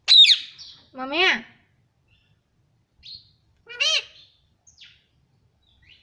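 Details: Pet green ring-necked parrot talking in Hindi, repeating "mummy": bright harmonic syllables in short bursts, a sharp high note first, then rising-falling word sounds, with gaps of silence between.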